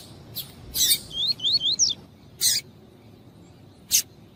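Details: Double-collared seedeater male singing tuí-tuí with a female calling nearby, meant to stimulate singing: loud buzzy chips framing a brief series of four rising whistled slurs.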